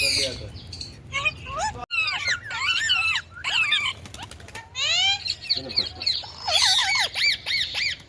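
An Indian ringneck parakeet chatters in high, bending, speech-like phrases broken by sharp squawks, with a rapid run of wavering notes near the end.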